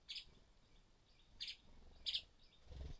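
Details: Streaked spiderhunter nest scene with the mother feeding her hard-to-feed chicks: three short, high chirps spaced irregularly across three seconds over a faint hiss, ending in a low rustle.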